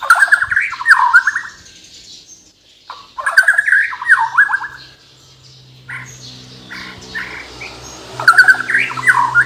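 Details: Bornean white-rumped shama, a captive songbird from Kalimantan in full varied song: bursts of rich descending whistled phrases and chattering notes, separated by short pauses, with a faint low hum behind.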